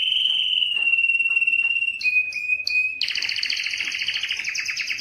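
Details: Male Belgian canary song used to stimulate females for mating. A long, level whistled note with faint pulsing gives way to a few sharp high chips, then a dense, loud, rapidly pulsed trill.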